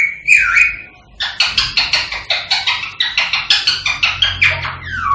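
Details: Rose-ringed parakeet, a caged pet, voicing to prompt singing and mating: one falling whistled screech, then fast even clicking-chatter pulses repeated about three times a second, ending in a dropping whistle.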